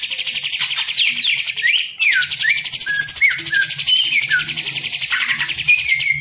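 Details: Caged green leafbird kept as a hobby songbird, pouring out a fast, dense song of bright whistles, trills and slurred notes, some rising and some falling, with short buzzy rattles woven in. A soft low hum sits underneath.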